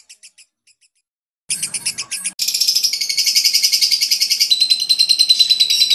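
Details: Fighter lovebird's long laughing ngekek, used to lure baby lovebirds: a few scattered chirps, then a sudden run of fast, harsh, high chattering notes that continues steadily to the end.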